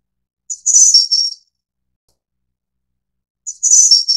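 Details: Two high, sibilant phrases from a Snowy-browed flycatcher of Taiwan's endemic subspecies innexa, about three seconds apart, each starting with a short thin note and ending in a faintly descending trill; quiet background.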